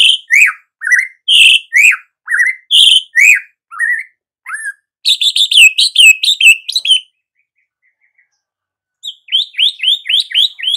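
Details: Loud song of a white-rumped shama: strong, clipped notes repeated about twice a second, a dense high trill, a silent pause, then a run of quick, high, sliding notes.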